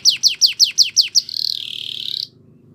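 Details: A yellow canary sings in the morning: seven sharp, evenly spaced descending chirps followed by a steady high rolling trill lasting about a second, with a faint low hum behind.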